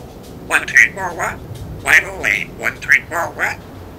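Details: African grey parrot at home mimicking human speech in short word-like bursts with clear tonal syllables, a few quick phrases over about three seconds in a quiet room.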